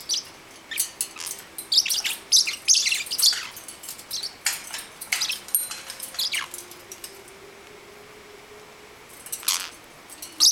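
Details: Nine-week-old parrotlet kept as a pet, excitedly chirping while wanting to play with its molting brother; bursts of high squeaky chirps in the first half, then a quiet stretch and a final few calls, faint hum beneath.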